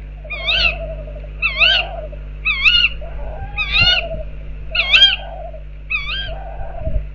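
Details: Outside an owl box, tawny owls repeat wavy, nasal calls roughly once a second, six in all, with fainter lower warbling notes beneath and a constant low hum.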